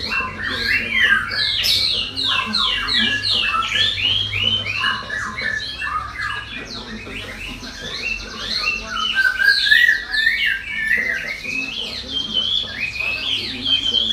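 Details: Fast, busy twittering song: dense series of quick chirps and squeaky notes, a brief lull near the middle, then further trills and sliding whistles, with a faint low hum throughout.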